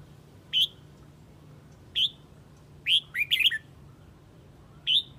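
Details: Red-whiskered bulbul from Huế calling its flock: short, bright, slurred chirps spaced a second or more apart, with a quick cluster of four or five tumbling notes near the middle, over a faint low hum.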